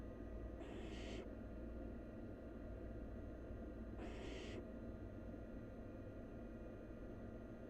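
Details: Wild barn owl nestling at its nest while devouring half a rabbit in one gulp: two harsh, broad hissing screeches, each about half a second long and roughly three seconds apart, over a steady low background hum.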